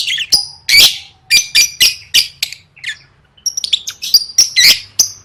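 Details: Competition-training lovebird singing 'gacor': a series of sharp, buzzy squeaks repeated roughly every quarter second, a brief pause, then a run of thinner whistled chirps.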